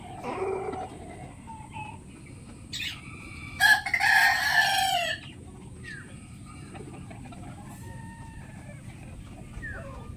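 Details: Rooster gives a loud crow of about one and a half seconds, with quieter clucks and short calls from other chickens before and after, over a constant high background hiss.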